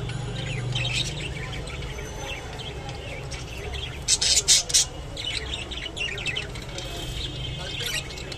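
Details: A rainbow budgerigar pair with their baby chatter with quick, scratchy chirps and warbles, punctuated by a few louder sharp notes.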